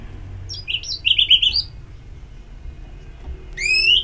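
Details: Orange-headed thrush ngeplong song from Singaraja, North Bali, played to stimulate singing: a rapid string of short, upslurred whistled notes, a quiet gap, then one loud, rising whistle, with a faint background hum.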